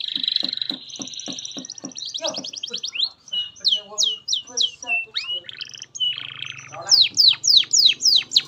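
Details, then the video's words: Canary singing as a master for young canaries: a buzzy trill and clicking pulses first, then varied chattering notes, ending in loud, steeply descending whistles. "SUARA BURUNG Kenari GACOR PANJANG INI Cocok untuk Masteran KENARI PAUD dan Kenari Macet BUNYI"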